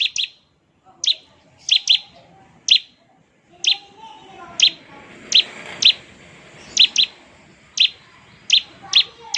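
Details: Bar-winged prinia in lively song, used to prompt other prinias to answer: sharp, very high chips given singly or in quick pairs about once a second, with faint background hiss between notes.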